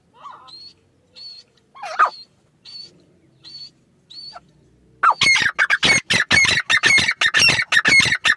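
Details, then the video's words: Grey francolin calling: a few spaced high whistled notes and a softer lower call, then a sudden loud run of harsh, rapidly repeated notes, about two per second. "teetar sound"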